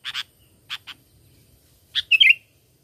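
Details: Sooty-headed bulbul used as a lure for catching birds: a few sharp chirps followed by a fast bubbly warbled phrase of several liquid notes, against a quiet background.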